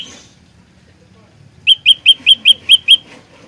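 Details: Olive-backed tailorbird singing in the lure-and-fighter style used for trapping: after quiet, a quick run of seven sharp, high, clipped chip notes, evenly spaced about five per second.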